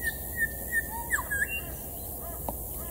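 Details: An elusive Grey Shrike-thrush, constantly moving in a tree at the forest edge at Deception Bay, gives a few short, clear whistled notes with a quick rising-and-falling slurred pair in the middle, over a steady outdoor hiss.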